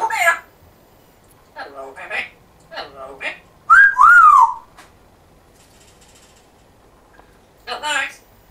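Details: A talking African grey parrot, said to speak with a Yorkshire accent, utters a few short, speech-like syllables, then a loud whistle that rises and dips, and ends with one more word-like burst.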